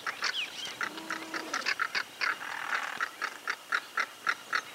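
Southern crested caracara giving a fast series of harsh, grating notes, about four per second, with a faint whistled note from another bird early on.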